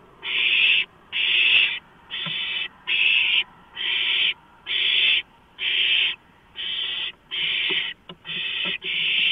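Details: Several owlets clamour over a delivered large rodent on 23 March 2015: rasping, hiss-like screeches follow each other rapidly, near one a second, with faint clicks between them.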